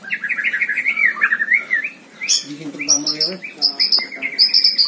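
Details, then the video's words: A caged White-rumped shama in active song gives fast rolling warbles, then switches to harsh, buzzy, rattling notes interspersed with high sharp chips. "GANTANGAN MURAI BATU || GACOR DORRRR | BIKIN HEBOH | MASTERAN MURAI BATU"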